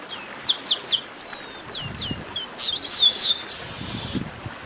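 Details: Chestnut-capped blackbirds calling together in a 'baderna' played to warm up singing birds: quick high chirps and falling whistled slurs overlapping densely, ending in a hissy buzz.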